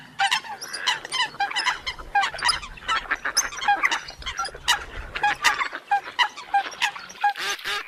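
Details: Eurasian coots calling together in a busy chorus of clipped, nasal honks and squawks that overlap almost without pause, over a low rumbling hum for the first five seconds.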